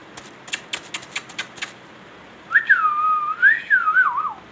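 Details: Pet king ringneck parrot giving a warbling, wavering whistle that rises and falls for about two seconds, after a series of sharp taps or clicks indoors.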